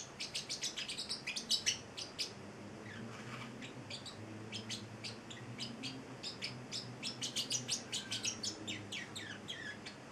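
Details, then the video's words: Young male Celestial parrotlet, eight weeks old and kept as a pet, chirping steadily for ten seconds: quick high tweets in runs and pairs, with a faint low hum underneath. "Valentino, the Singing Parrotlet"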